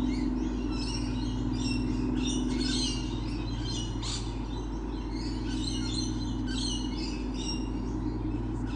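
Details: On 28 November 2013, with lorikeets everywhere, piercing screeches and chattering chirps rise in dense clusters, loudest around the middle, above an unbroken low engine-like hum.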